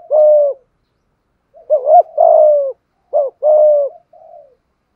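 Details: Malaysian spotted dove giving the thúc gù cooing style: low, hollow coos in paired bursts, a short upslurred note followed by a longer, steady, slightly falling coo, repeated with pauses of about a second. No other sounds.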